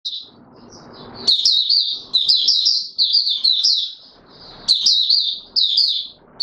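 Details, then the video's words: Caged Oriental white-eye (Mata Puteh Raja) in courtship mode, singing bursts of high, sweet warbling phrases around four kilohertz, each lasting about a second, separated by short pauses with faint low background noise. "Mata Puteh Raja V2 in courtship mode"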